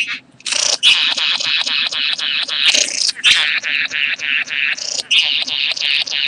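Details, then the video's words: Bowerbird in mating display at karawarra, 8 January 2014: a loud, nonstop stream of harsh churring, rattling and buzzy chatter, broken by brief gaps and sharper scratchy notes, with a faint low hum in the background. "karawarra bowerbird 2014-01-08 mating"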